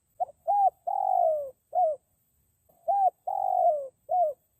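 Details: Spotted dove calling as a lure for wild forest doves: two phrases, each a short note, an arched coo, a long falling coo and a final rounded note, delivered with a smooth, mellow tone.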